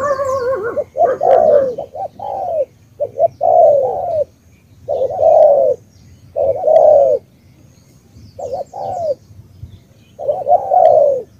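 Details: Cà Mau spotted dove in Vietnamese tú style, delivering steady phrases of mellow low coos, short notes leading into a longer, downward-curving final coo, repeated about every two seconds.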